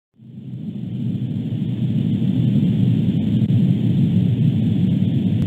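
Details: From near silence a deep, rumbling mechanical roar swells within the first second, then holds steady and loud to the end with no animal voice.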